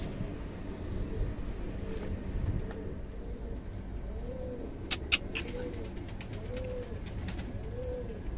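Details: Fancy pigeons at a breeding farm cooing: a series of soft, low, arched coos repeated roughly every second in the second half, with sharp clicks and taps and a steady low rumble of background noise.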